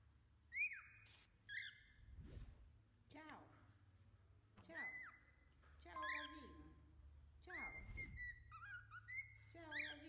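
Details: Pet cockatiel singing: a string of whistled phrases with held tones, upward swoops and falling slides, spaced every second or two, with soft low thumps in the background.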